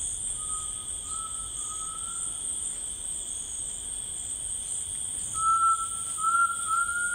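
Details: Rainforest grey tinamou: a smooth whistled note rising in steps, a pause, then a louder series of quavering ascending whistles, over a continuous high insect chorus.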